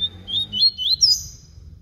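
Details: Short burst of flute-type song from a papa-capim baiano (yellow-bellied seedeater), with sweet high whistles stepping upward in pitch and ending on a bright rising slur, a soft low hum beneath.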